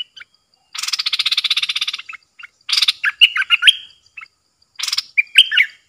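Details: Caged decoy bulbul, 13 April 2021, luring wild birds that came in three times; a harsh, buzzy rattling trill lasting about a second, then bursts of chattering, warbled notes, repeated twice.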